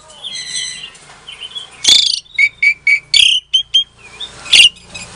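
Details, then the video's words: Captive-bred Asian pied starling from Klaten, Indonesia, used to prompt silent starlings to sing back; a buzzy opening, then a run of short harsh squawks and whistled notes, ending in a loud rasping burst. "Suara Jalak Suren Pancingan, Jalak Macet Pasti Jadi Emosi Langsung Nyaut"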